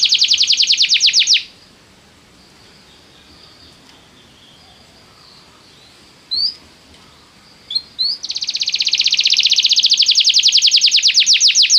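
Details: Canary song to get a canary singing at once: a rapid buzzy trill, a long quiet gap with a couple of short rising notes, then another long fast rolling trill.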